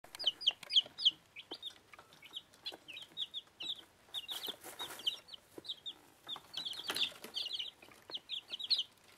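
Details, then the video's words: Week-old bantam chicks, Plymouth Rock and Rhode Island Red, eating: high, bright peeps in quick irregular bursts from several chicks, with pecking and clicking noises in between. "Küken fressen"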